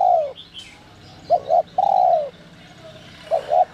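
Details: 'Giọng còi' call of a spotted dove, meant to excite wild doves into calling. A drawn-out falling coo is followed by a clipped double note, another long descending coo, and a final double note. Faint chirps sound in the background.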